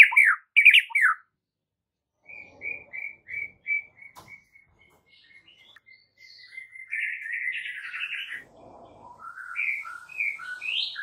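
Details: Murai batu, or white-rumped shama, masteran song meant to trigger a response: loud opening whistles, then a long evenly spaced string of short whistled notes fading away, followed by a buzzy trill and rising warbled phrases.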